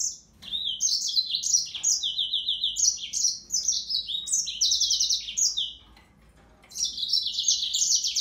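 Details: A yellow-fronted canary pours out a long, lively string of high warbles, fast buzzy trills and descending slurs, pauses briefly, then resumes with another bright trilled phrase; quiet steady hum underneath.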